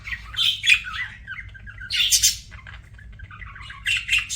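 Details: Budgie giving a string of short warbled chirps and squeaks, with a sharp squawky burst near the two-second mark and a fresh flurry of chatter at the end.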